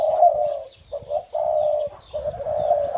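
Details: A pair of caged Spotted Dove hybrids, the parents of a five-month-old first brood, cooing during a display: low, hollow coos run together into long drawn-out notes, three phrases in three seconds, with soft thumps underneath.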